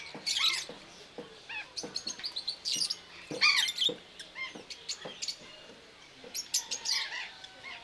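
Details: Rosy-faced lovebirds at Belgrade Zoo, Serbia, recorded in October 2022 with a Panasonic camcorder: shrill, harsh chirps in quick bursts, some squeaky and rising, others clipped, scattered unevenly with short pauses between.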